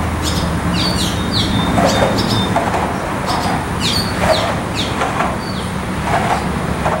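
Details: Nestful of barn swallow chicks awaiting food, giving brief high descending chirps in loose clusters every second or so over a constant low mechanical rumble.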